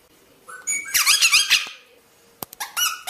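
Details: Rosella song: a soft rising whistle leads into a rapid burst of bright, twittering notes, followed by crisp clicks and a final ringing whistle.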